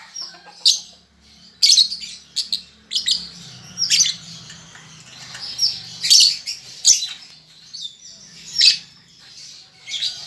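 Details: Baby lovebird practising ngetik and ngekek delivers frequent sharp, clicking chip bursts over a constant high scratchy chatter, with a faint low hum in the background.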